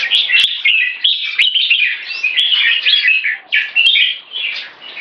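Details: One stroke song leading to keke from a red-whiskered bulbul, rapid chirping and warbling phrases tumbling one after another, with brief dips between loud bursts and occasional clicks.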